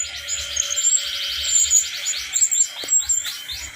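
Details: Brown-chested jungle flycatcher, a wild-caught bird from Bali, sings a rapid series of thin, high notes that repeat in a quick stuttering run. Sharp sweeping accents follow, over a steady high background hum.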